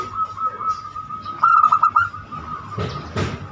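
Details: Zebra dove, banyumili voice, used as a lure for other birds: one short run of clipped coo notes, followed by rustling knocks and low background noise.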